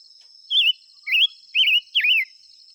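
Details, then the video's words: Four clear warbling whistles from a silver-eared mesia, rising and dipping phrases about a quarter second each, evenly repeated, set against continuous high insect buzzing. "tiếng chim ngũ sắc hót chuẩn muồi gọi buổi.."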